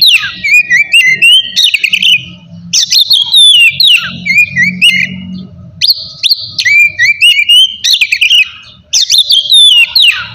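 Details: Oriental magpie-robin delivering energetic ngeplong song to challenge rivals: closely packed phrases of twittering notes and sliding whistles, some swooping downward, with a low rumbling hum in the background.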